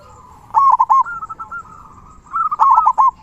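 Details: A prolific local zebra dove with a large 'kung' voice, sung to stimulate and train other doves. Two loud bursts of quick, rolling coo notes frame a softer linking trill.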